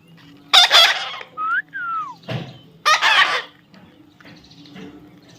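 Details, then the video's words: Baby parrot alternating a harsh grating squawk, two smooth whistled slurs, one rising and one falling, then another rasping call and quieter chatter. "natural funny parrot sound"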